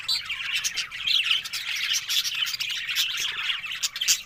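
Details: A group of budgerigars talking on October 1: steady, dense warble of fast chirps, buzzy notes and short squawks, overlapping without pause for the whole stretch.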